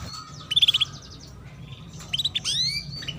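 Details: Brief female canary chirp to coax young canaries into singing: a fast run of five bright chirps, a pause, then a burst of upward-sweeping high notes.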